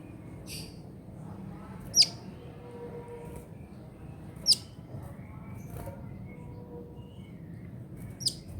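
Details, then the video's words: Kolibri ninja sunbird in trotol style, recorded for training songbirds: single sharp, very high downward-sweeping chips spaced a few seconds apart, with faint softer notes and steady low background noise. "KICAUAN KOLIBRI NINJA TROTOL UNTUK MASTERAN BURUNG BERKICAU"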